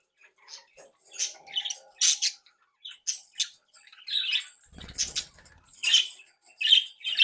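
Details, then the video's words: Captive budgerigars from a home breeding group, happy and playful, give scattered sharp chirps and short warbled phrases, with a brief flutter of wings. "Periquitos Australianos traviesos activos y juguetones 🧶🎡SONIDOS para periquitos solitarios"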